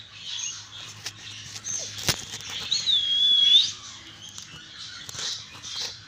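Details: Twin young budgerigar chicks give thin, raspy high chirps with a brief whistled note.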